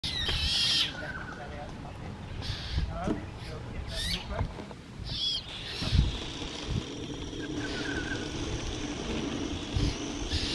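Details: White-winged choughs, a group foraging on the ground and feeding two youngsters at Coolendel, NSW, Australia, give short, harsh rasping bursts a few seconds apart, with one thin whistled note, over a steady low rumble of background noise.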